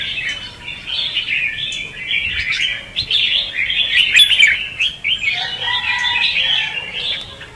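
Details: Red-whiskered bulbul lure song in ché and xòe fighting style, meant for trapping and training; continuous sparkling chirps and warbled trills, sharp accented notes mid-way, a lower fluty phrase joining toward the end.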